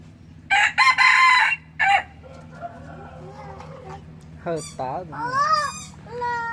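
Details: Decoy red junglefowl gives a loud, rough crow of about one and a half seconds, with a short tail note after it. Faint thin chirps and squeaky rising notes follow over quiet background.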